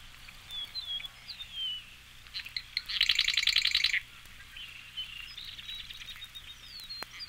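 A Marsh Wren gives a few scratchy notes, then a dry, buzzy rattle lasting about a second. Faint chirps and whistles from other birds are heard around it.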